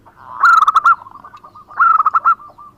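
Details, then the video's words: Local-type zebra dove singing actively, recorded for use as a lure: two loud bursts of rapid, staccato cooing notes at a steady mid pitch, each followed by softer trailing coos. "Perkutut Lokal Gacor Suara Lokal Alam Bagus"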